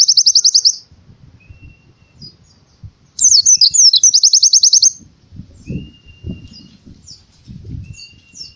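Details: High rapid trill from a white-eye in canary-imitating 'tembakan' style, meant to coax quiet birds into song, then a burst of zigzag notes running into a fast trill, with faint thin whistles and low rumbling background noise.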